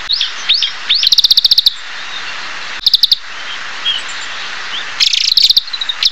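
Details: Oriental greenfinch (Chloris sinica), song.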